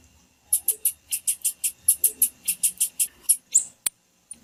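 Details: Female blue-black grassquit giving a 'fit' call, used to stir males into singing: a fast run of about sixteen very high, thin chips, roughly four per second, steady and evenly spaced, ending with a sharp click.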